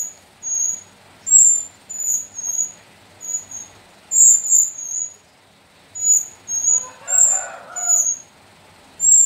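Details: Young Sooty-headed bulbuls, four chicks (three female, one male) from the slopes of Mount Sumbing, kept and hand-raised. Thin, very high chirps come in short bursts about every second, with a brief lower rough sound near the end.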